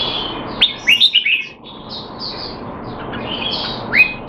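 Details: Singapore-kept male Red-whiskered bulbul in a training session, not in top form, 25 December 2020: a quick group of three or four upslurred chirps, a quieter pause, then one more rising note near the end.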